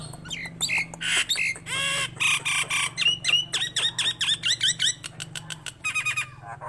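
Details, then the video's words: Nias hill myna in full song for stimulating other mynas: harsh broad squawks alternating with short bent whistles, and quick stuttering phrases at the end. "JALAK NIAS GACOR COCOK UNTUK PANCINGAN BURUNG JALAK NIAS ANDA DAN MASTERAN"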